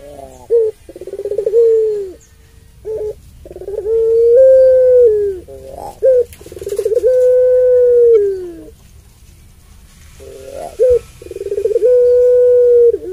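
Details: Captive Barbary dove (puter pelung), a long-voiced bird, giving drawn-out mellow low coos, each held one to two seconds, in a broken series with short sharp notes between them.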